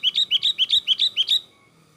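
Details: Agitated Sooty-headed bulbul song meant as a trapping lure: six sharp doubled chirps evenly spaced about every quarter second, high then falling, ending abruptly in near silence.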